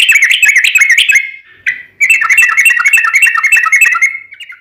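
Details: Sooty-headed bulbul (trucukan) singing gacor with long ropel phrases: dense bubbly warbled chatter, a short pause, then another long run of rapid liquid chirps.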